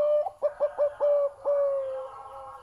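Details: Zebra dove with a big, deep voice singing: a quick run of about five short, clipped coos at one steady pitch, then a long drawn-out note that slowly fades, loud and close.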